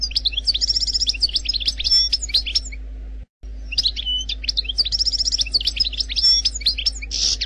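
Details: Algerian goldfinch, its wild 'khalwi' song style, delivered without errors: rapid twittering phrases of high, metallic chirps and short whistled notes with a brief silent break midway and a faint steady hum underneath.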